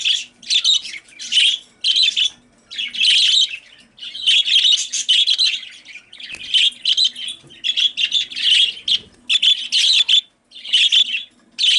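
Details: Female budgerigars kept as pets, calling very loudly at the sight of a male: harsh, buzzy chirps in dense bursts of about half a second, repeated almost without pause, with short silent gaps between groups.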